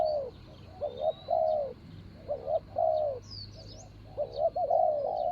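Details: Ground-decoy spotted dove luring a rival, 24 January 2565 (Thai calendar). About three coo phrases, each a rapid paired note then a longer descending one. Light chirps of other birds sound overhead.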